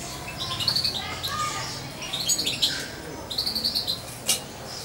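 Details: Young hand-reared European goldfinch, about two months old and once fed by syringe, kept close to its owner. Thin, high chirps and twittering notes come in short bursts, with a quick run of repeated notes near the end and a sharp click.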